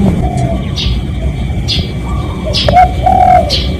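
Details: Spotted dove giving a lure call meant to draw in other doves, recorded live: a brief mellow cooing phrase near the end, with fainter coos earlier, over steady low rumbling background noise, a thin constant tone, and scattered high chirps.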